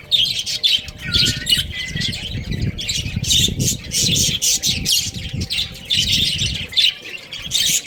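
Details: Baby chickens playing and eating, a dense flock of high, thin peeps and chirps overlapping almost without pause, with soft low thumps and shuffling underneath.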